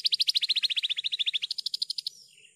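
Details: Javan bush lark tutor song, clean and energetic: a rapid, even trill of about twenty-five sharp notes, sliding slightly lower, then stepping higher before ending in a brief soft warble.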